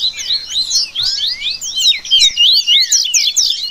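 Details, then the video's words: Rusty-collared seedeater song in a dense baderna, a mixed chorus used to warm up birds and train their song: fast, overlapping high twittering notes and rapid slurred trills, with one longer rising whistle, all packed together without pause. "Esquente Seu Coleiro Que Tem Fibra!!! Baderna Top Para Manejo De Canto e Fibra!!!"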